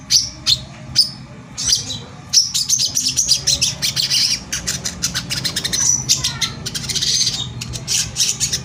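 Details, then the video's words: Bait song of a brown-throated sunbird meant to make rivals sing; a few spaced sharp chirps lead into a dense rapid chatter of high squeaky notes with an occasional thin whistle. "suara pancingan korlap gacor tembakan rapat || ampuh memancing korlap agar emosi dan bunyi"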